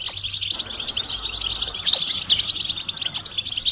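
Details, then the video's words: Goldfinch bitbita and stista calls meant to get a silent male singing; a rapid, busy twitter with a few clear whistled notes standing out. "بتبتة فعالة و ستستة فتاكة رهيبة في علاج صمت الحسون"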